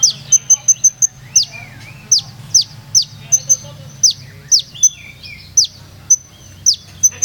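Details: Purworejo olive-backed sunbird singing in a melodious 'ngeroll nembak' style: an opening burst of rapid high ticks, then repeated sharp descending notes and a few lower warbled slurs, over a steady low hum.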